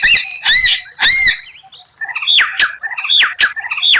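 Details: White-rumped shama with strange rare 'tembakan' phrases: harsh rasping squawks in the first second, then loud downslurred whistles repeated several times with a steady beat.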